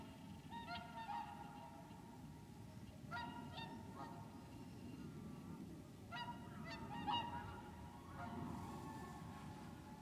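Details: Whooper swans wintering at Lac du Der, France, 30 January 2014, giving repeated trumpeting honks in scattered groups of two or three over a strong low background rumble.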